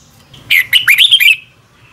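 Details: Red-whiskered bulbul giving a short morning training phrase, used as decoy song; one brief burst of four or five quick rising and falling whistled notes lasting under a second.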